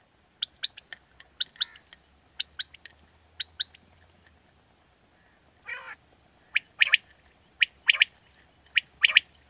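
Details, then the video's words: Quail call from Pakistan, played to lure quail for night hunting: short sharp three-note phrases, one clipped note followed by a quick pair, repeated about once a second, with a brief rasping note midway and a steady high hiss. "Batair Kirak batair ki Awaz For Night Hunting"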